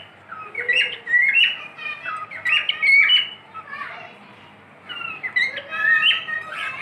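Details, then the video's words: Pet cockatiel whistling in repeated phrases of bright, slurred notes, with a quiet pause midway before the whistling picks up again. "My cockatiel | beautiful Whistling"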